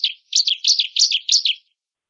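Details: Bar-winged prinia (ciblek) song used as a training recording for other cage birds: five rapid buzzy, scratchy chirp bursts in quick succession, then silence.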